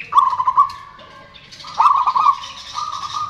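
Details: Local Indonesian zebra doves, strong loud singers, with males and females answering each other, used as a lure to restart birds that stopped singing: rolling, pulsed cooing phrases near one pitch, repeated in separate bursts with brief gaps.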